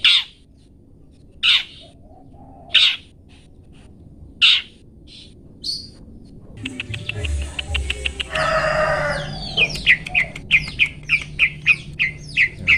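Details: Long-tailed shrike song in the 'toet toet' style, recorded as a master recording for training cage birds: spaced short sharp whistled notes, then a buzzy burst followed by a fast run of bright repeated chips.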